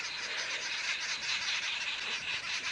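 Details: Arrow-marked babblers at Djuma Game Reserve area, South Africa, at sunrise on April 15: a harsh, dense, cackling chorus running without a break, near a suspected guinea fowl kill.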